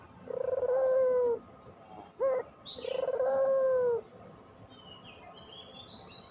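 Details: Puter dove in pelung style, played to stir lazy birds into singing. Two drawn-out, even coos are split by one brief upturned note. A small bird chirps briefly above, then the coos stop and only quiet background remains.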